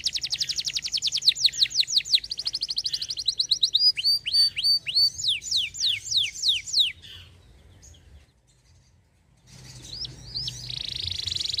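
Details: Canary song with a fast buzzy trill, then repeated downward-sweeping whistles, a short pause, and a final burst of higher warbling.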